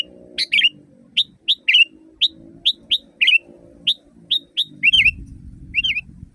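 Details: Sooty-headed bulbul recorded in nature, loud, for training caged birds. Quick clipped whistled notes, often paired, tumble out in a lively series ending in two longer rolling, wavering phrases, over a low steady hum and some rumble.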